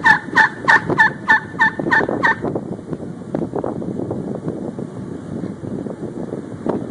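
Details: A wild turkey gives a quick series of about eight raspy, yelping notes over two seconds on 6 February 2011 at 6:11 PM, then low rumbling wind noise fills the rest.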